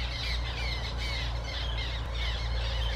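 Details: Black terns at Zbiornik Łąka reservoir, Poland, on 14 May 2021 give harsh, squawking calls in quick succession, about twice a second, over a steady low rumble of wind.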